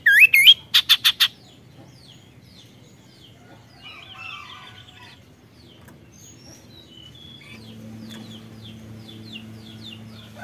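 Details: Kaso-kaso bird sings a luxurious 'tembakan': a rising wavering whistle, then a quick string of high pulses. Softer twittering and chirps follow over a faint background hum.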